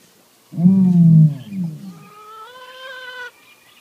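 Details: Male-named ostrich claiming his territory behind a 2 m fence gives a deep, rumbling boom of about a second and a half, then a higher, drawn-out nasal tone rising slightly before stopping.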